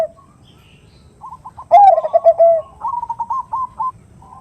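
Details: Zebra dove, locally perkutut, as a female calls a male ('nutut' sound): quiet stutters lead to a loud, falling, rolling coo, followed by a quick series of short clipped higher notes.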